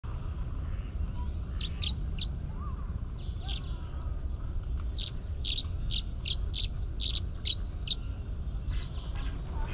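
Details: Tree swallow singing a song of spring between looping and spiralling flights at Reifel Bird Sanctuary on April 7, 2022: bright liquid chirps, a few per second, sometimes in doublets, over low wind or traffic rumble.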